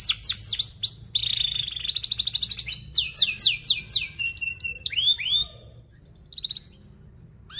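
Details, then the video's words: Training song for young canaries: quick varied phrases of downslurred whistles, buzzy trills and rolling notes, fading into a quiet stretch with one short rising note near the end. "Kenari Gacor Paud SPEED RAPAT Cuit cuit Ngerol, Pancingan Kenari PAUD BELAJAR BUNYI"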